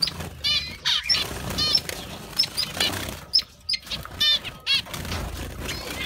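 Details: Zebra finches bred in an aviary, lively birds whose song is likened to a little trumpet: short nasal, harmonic, trumpet-like notes from several birds, scattered through the clip, mixed with frequent wing flapping and a low background rumble.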